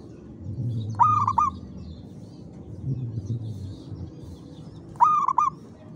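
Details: Zebra dove singing at 5 pm in the afternoon, hoisted in its cage; two brief trilled cooing phrases four seconds apart, each a fast run of soft notes, over quiet low hum.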